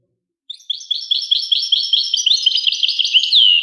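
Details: ['After half a second of quiet, a European goldfinch sings a lively series of high, tinkling chirps in quick succession, ending on a downward-sliding whistle.']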